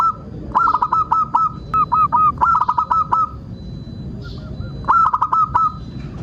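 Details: Zebra dove, a local perkutut, sings in lure recording meant to set caged birds singing: three bursts of rapid, hooked, mellow cooing notes, each run of five to seven beats, separated by short quiet gaps.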